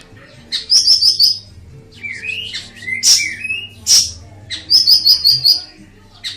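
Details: Ashy tailorbird singing as a master song: fast high trills of four or five bright notes, a long sliding whistle, and single sharp chips, in bursts separated by short pauses over a faint constant low hum.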